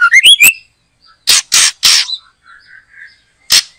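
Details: White-rumped shama during backyard bird trapping: quick bright upslurred whistles, then a series of loud harsh rasping notes, soft low whistles between, and two more rasps at the end.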